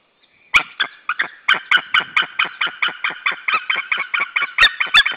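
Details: Male white-tailed eagle at a nest in Saunja, Estonia, on the evening of 26 April 2013, calling as another white-tailed eagle appears: a long series of sharp, yelping notes, about three per second, steady throughout.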